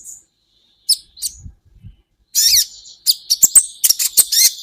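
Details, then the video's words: Kolibri ninja sunbird used as training material for songbirds: scattered high thin notes, then a dense burst of buzzy twitter followed by a quick series of sharp, metallic chips; faint low thumps in between. "Masteran buat KOLIBRI Ninja Bahan Agar BUNYI"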